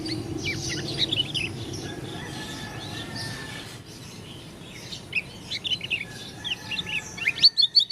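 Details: Oriental white-eye, Lombok dakun type, giving an unusual voice: soft scattered twitters over background noise, then a run of sharp, rapidly repeated high chirps that grows louder toward the end.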